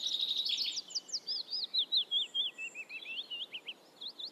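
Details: Black redstart singing: a fast high trill that breaks into a string of separate whistled, slurred notes about every quarter second, drifting slightly lower, with a couple of rising notes at the close.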